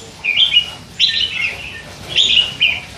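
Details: Hand-fed young red-whiskered bulbul, three months old, chattering all day with slips of song phrases: three short warbled, bright phrases rising and falling, each under half a second, with quiet gaps between.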